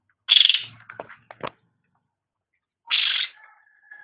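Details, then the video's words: Cucak rante, pet songbird recorded for training others: a loud pulsing rasp and dry clicks, a pause, then a second rough burst that fades into a thin, level whistle. "Suara Burung Cucak Rante | Gacor"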